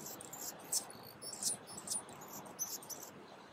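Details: Very high, faint, sputtering notes from a singing male Calliope hummingbird, scattered in quick uneven bursts about once a second, with soft background hiss.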